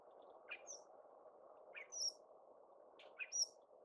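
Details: A Northern Shrike sings in Adams County, Washington, USA, in scattered bursts of high, thin whistles and short buzzy notes over a steady background rumble.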